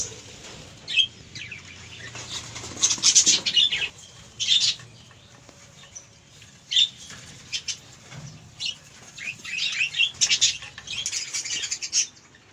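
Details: Budgerigars chatter in bursts of scratchy, high warbling notes with brief quiet gaps between.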